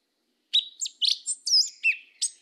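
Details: Short burst of yellow-legged thrush song, southern 'mateiro' style: six or seven high, sharp whistled notes, some sliding downward, delivered quickly after a moment of silence.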